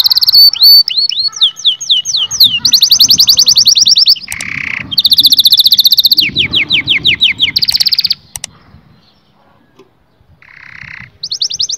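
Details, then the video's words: Canary song played to excite males and females toward mating: rapid rolling trills, strings of falling whistles, harsh lower buzzes, a short pause, then the trill resumes. "التغريد الاقوى في عالم طيور الكناري لتهيج الذكور وتهيج الاناث على التزاوج"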